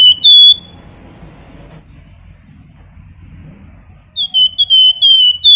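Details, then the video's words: Javan white-eye singing 'flamboyan' whistles, used to tutor and prompt contest birds: one bright whistled note, a quiet stretch with low background rumble and a faint high note, then a lively run of clear, slightly falling whistles. "Siulan Sultan Harga Terjangkau Burung Wergan Jawa Flamboyan Cocok Buat Masteran maupun Pancingan"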